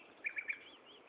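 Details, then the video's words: Common nightingale at Gaasperzoom, 16 May 2012, 15:30, giving three loud identical chirped notes in quick succession, then fainter wavering tones fading out against background hiss. "Nachtegaal zang"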